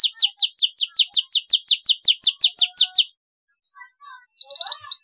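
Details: Short-phrase canary song meant to lift a stressed bird's spirits: three seconds of quick, descending high notes repeated in a rhythmic trill, then silence with a few faint chirps and a short high burst at the end.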